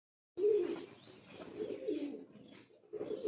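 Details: A male pigeon gives soft, low cooing in a few rolling, throaty phrases with short gaps, one starting abruptly and another rising at the end; faint background hiss.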